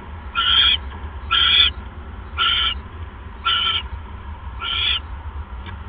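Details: Owl pair at night on 28 January 2015 during the male's mouse delivery. Five short, harsh, raspy bursts are spaced about a second apart over a steady low hum.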